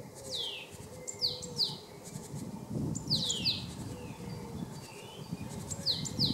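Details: A male Great Tit sings in March 2015 at Jarun in Zagreb, Croatia: high, sharply descending whistled notes in pairs, each pair repeated roughly every two seconds, with a constant low drone behind.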